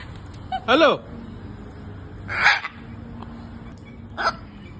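A talking parrot repeats a speech-like "hello" three times, each a short harmonic burst about two seconds apart, over a low background hum.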